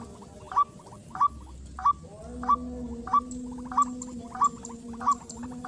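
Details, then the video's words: White-breasted waterhen calling in a rice field during luring; a bird approached quickly. Short, upward-flicking notes repeat steadily about every two-thirds of a second over a constant low drone, with faint high ticks above. "pikat ruak ruak di sawah"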